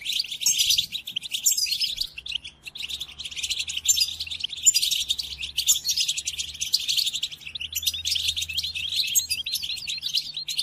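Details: Captive-training recording of European goldfinch song: continuous bright, liquid twitters and buzzy trills delivered at high pitch in quick runs, with brief gaps between phrases.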